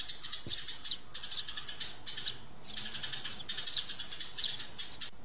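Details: Quarrelling sparrows and their come-and-land calls, given as clipped, high chirps in quick pulses, several each second, from more than one bird.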